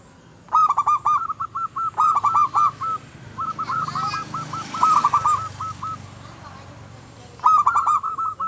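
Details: Local zebra dove in full song, said to provoke rival birds and stir their breeding urge: bursts of quick, staccato, bubbling coos in clipped phrases, repeated several times with short pauses and a faint background hum.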